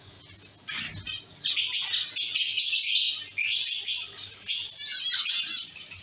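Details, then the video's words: Zebra finches in a caged colony calling: a rising flurry of buzzy, nasal beeps from several birds, swelling into dense chatter and then breaking into short separated calls. "Zebra finch sound & activities"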